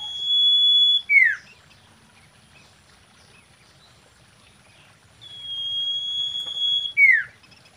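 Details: Common iora, female, mating song used as a lure: a long steady high whistle ending in a quick downward-slurred note, the phrase given twice with a pause of several seconds between.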